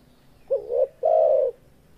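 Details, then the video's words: Male spotted dove in breeding condition calling: a short rising coo followed by a longer, steady, low hooting coo, about one second in all, against a quiet background. "Suara Burung Tekukur Suara JANTAN BIRAHI GACOR"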